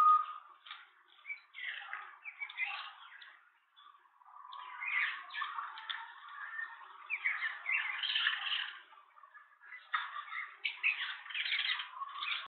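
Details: At a nest in Pretoria, South Africa, on April 21, 2023, a green wood hoopoe with a newly hatched first chick gives rapid, raspy cackling calls. The calls run almost continuously in dense bouts with brief pauses.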